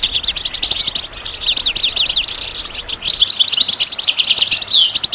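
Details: Goldfinch song played to stimulate other birds to sing: a fast, bright twittering of high chirps and short trills, with a buzzy, tinkling stretch near the middle and liquid notes running on to the end.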